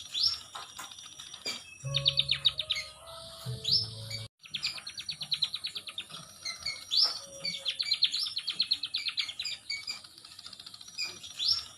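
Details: Munia chirping steadily in quick bursts of sharp, high, repeated notes, with brief pauses between runs and a faint low hum part way through.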